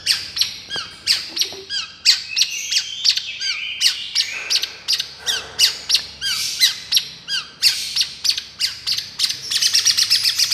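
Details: Long-tailed shrike, 'miyik' style therapy song: long varied chatter of clicks, squeaks and downslurred notes, ending in a rapid buzzy rattle.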